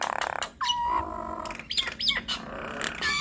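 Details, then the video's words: Nias hill mynas calling as a duet to provoke other mynas: one long, level, low whistle, then squawks and upward-sweeping whistled notes. "Duet Maut Jalak Nias Bikin Ribut Semua Burung Jalak - pancingan Burung Jalak Bikin Cepat Respon"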